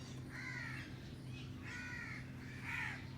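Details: Alexandrine parakeet, caged, playing on a cage alongside a green ringneck: three harsh, drawn-out squawks with banded harmonic tones, each lasting about half a second, over a steady low electrical hum.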